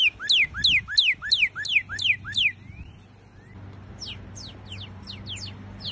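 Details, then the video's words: Northern cardinal (Cardinalis cardinalis) giving repeated two-part whistles, a low rising note then a high descending slur, about three per second, then a pause and fainter, more distant downslurred notes. "O cardeal Norte Americano. Conheça o canto desse cardeal estrangeiro."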